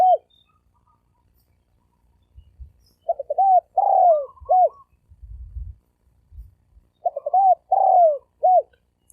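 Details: Lure recording of a spotted dove cooing in thổ sấm đồng style to attract males and females: two repeated phrases of low hooting notes ending in a long falling coo and brief final note, with dull low knocks between.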